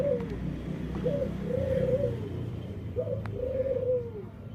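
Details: Dove kept indoors with an unusual voice, possibly a defect: low arched coos, each rising then falling, in two longer phrases after brief notes, over a low room hum.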